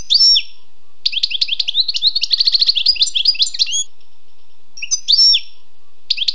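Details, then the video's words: Wild European goldfinch delivering a long tinkling, twittering song of quick slurred high notes and rattling trills, then short chirps after a break. "Écoutez et appréciez le doux chant du chardonneret sauvage"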